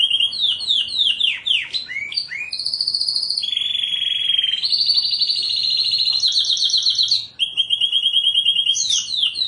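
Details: Canary in full continuous song: rapid descending sweeps, then long sustained buzzy trills shifting between pitch levels, a high rolling trill and more fast swept notes, with a faint low rumbling background throughout.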